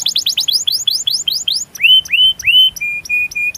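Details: Canary song used as a stimulus for other canaries: fast repeated downward-curving chirps, then three longer rising-and-levelling whistles, followed by short flat whistled notes.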